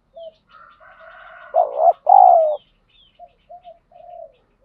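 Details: Cooing spotted dove used to rouse a decoy bird to fight: a faint drawn-out note leads into a strong hoarse two-syllable coo, followed by several brief soft hoots.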